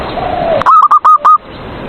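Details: Caged zebra dove singing, a song used to provoke rival doves into singing: four short, clipped cooing notes in quick succession, each with a sharp onset, after a stretch of hiss and faint background sound.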